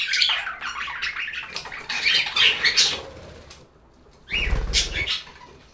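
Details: Budgerigar chatter of scratchy, high warbling chirps for about three seconds, a brief lull, then a burst of flapping wings mixed with more squeaky calls.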